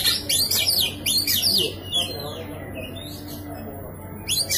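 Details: Persistent Oriental magpie-robin song meant to goad a silent bird into singing: quick high sweeping whistled notes in two short bursts, a softer descending whistle, then a fresh burst at the end.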